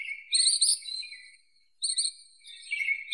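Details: Ashy minivet song: two high, shimmering trilled phrases separated by a short silence, each a bright metallic jingle with buzzy overtones, no other sounds.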